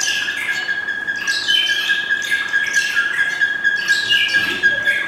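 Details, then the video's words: Male buff-crested bustard at a zoo giving harsh, rasping squawks in quick bursts with downward-sweeping notes, singing in reply to a Micronesian kingfisher chirping and calling in a nearby exhibit, over a steady high whine. "Buffcrested Bustard Call (Replying to Micronesian Kingfisher)"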